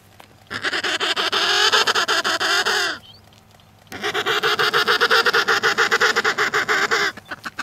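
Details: Emperor penguin on the sea ice between Cape Evans and Cape Royds, giving two long, loud, rapidly pulsed, buzzy warbling calls rich in harmonics, each lasting about three seconds, with a brief quiet gap between them.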